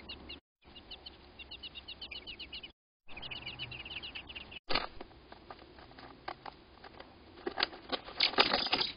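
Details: American robin pair at their nest during a crow attack: a fast series of short, sharp high chips repeated several times a second for about four seconds, then loud crackling and rustling noise with scattered clicks.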